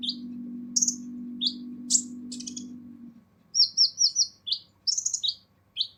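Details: Kolibri ninja sunbird giving its harsh training song: scattered sharp, high chirps, then a fast burst of four repeated notes and further bright chirps, with a low hum fading early.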